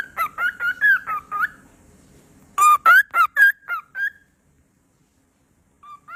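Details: A pet cockatiel defends its toys with loud, rapid chirps, a fast string of harsh upward notes, a pause, then another burst of louder squawky chirps, ending with a couple of soft notes.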